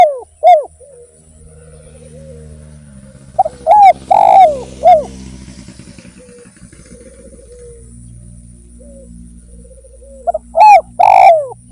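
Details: Spotted dove (derkuku) singing steadily as a lure to prompt other birds: mellow, falling coos in three-part phrases separated by long gaps, over a low rumbling background hum.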